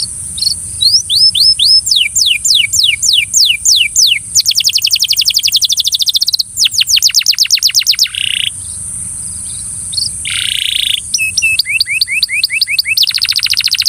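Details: Belgian canary coaxing a companion canary to sing, delivering varied tours: repeated bright upswept whistles, fast rattling trills, brief harsh buzzy notes and renewed rapid rolls over a constant faint high-pitched hiss.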